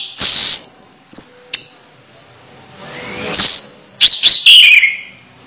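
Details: Orange-headed thrush about to moult, still singing strongly: a high drawn-out whistle, brief notes, then a descending series of clear whistled notes at the end.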